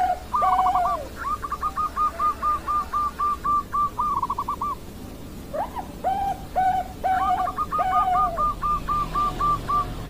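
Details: Zebra dove of the Bangkok perkutut type, 16 October 2023: a rapid rattling run of even staccato notes, a pause with a few separate lower coos, then another fast run of clipped notes.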